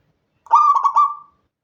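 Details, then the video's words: A local Indonesian zebra dove (perkutut) recorded at night gives one soft, mellow cooing phrase of about a second, broken into quick rolling pulses at a steady mid pitch, against a silent background. "Perkutut Lokal Gacor Pancingan Malam Hari agar cepat bunyi"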